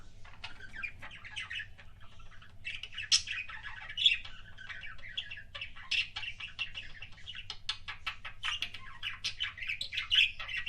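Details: A pet budgie's kissing sounds: soft clicking and chirpy chatter building into a steady warble with occasional sharper squeaks, a constant low hum underneath.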